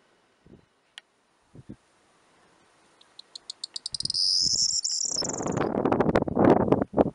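A corn bunting sings a short phrase of dry ticks that speed up into a high, jangling rattle like shaken keys. Loud rumbling, knocking noise follows.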